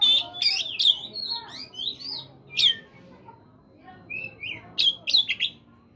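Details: Morning song of Oriental magpie-robin for encouraging caged birds to sing: rich varied whistles, slurred rising and falling phrases and occasional sharp harsh notes.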